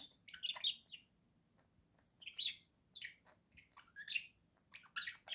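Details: Domestic budgerigar chattering in quick squeaky bursts, each under a second, separated by short gaps. A soft low hum runs steadily in the background.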